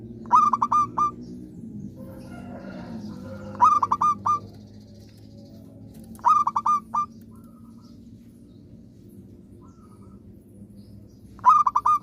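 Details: {'caption': 'Local zebra dove singing diligently: short phrases of three to five quick, hooked cooing notes repeated about every three seconds, with quiet pauses and faint low hum between.'}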